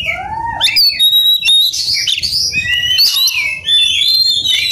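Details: Oriental magpie-robin in an aggressive mood looking for an opponent: a low rising whistle opens, followed by high clear notes, raspy bursts and long wavering whistles.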